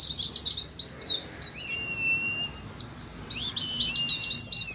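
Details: Oriental white-eyes in rapid ngeriwik chatter for training and contest practice: high looping chirps, a quieter dip in the middle, then loud dense twittering again over a faint level whistle.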